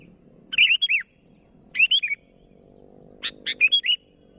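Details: Three short bursts from a sooty-headed bulbul challenging rivals, each a quick run of liquid, warbled whistles dipping and rising, with a harsh chip leading the last burst; low background rumble.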